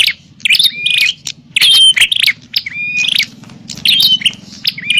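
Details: Bar-winged prinia fighting call for luring wild birds: loud, rasping chirp bursts with long level whistles, delivered in several spaced outbursts, with faint low hum beneath.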